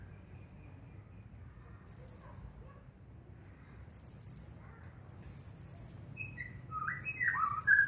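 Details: Champion Blue-crowned hanging parrot singing nonstop in the 'nagih hutang' style: sharp high notes, then ever longer trains of fast, piercing chirps, with lower descending whistled slurs toward the close.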